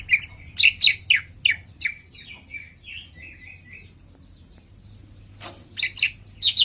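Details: Green leafbird (cucak ijo) song: loud sharp chirps and whistles in a rapid burst, fading into softer, lower twittering trills, then another burst of loud sharp notes near the end.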